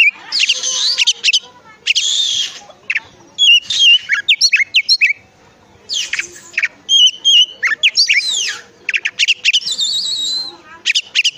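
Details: Oriental magpie-robin lure song for prompting other magpie-robins: a dense, varied medley of harsh buzzy bursts, squeaky chirps and quick slurred whistles, nearly continuous.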